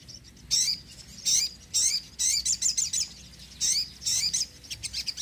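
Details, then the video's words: Energetic sogon singing for luring birds and encouraging lazy singers: loud high chirps in clustered pairs and triplets, fast and bright, repeating through the short recording. "sogon gacor penarik burung bahan & malas bunyi"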